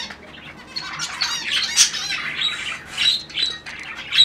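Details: Zebra finch; calls; courtship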